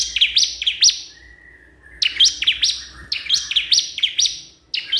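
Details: Crystal prinia calling a rival: bright, sharp chirps in quick pairs and trios, each note dropping steeply, with a thin buzzy trill linking the phrases.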